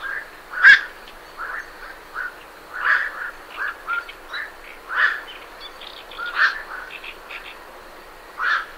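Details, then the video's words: Night herons departing their roost at medium close range give scattered harsh, barking quark calls roughly every half second to second, some louder and nearer than others, with faint great reed warbler chatter behind. "Night Heron Calls"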